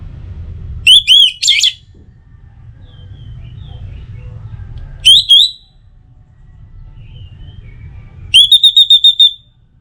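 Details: Three separate phrases from an Orange-headed thrush: high whistled notes, one rising sharply, and a final rapid trill of repeated notes. Quiet gaps with low hum between. Played mornings and evenings to prompt other birds to sing.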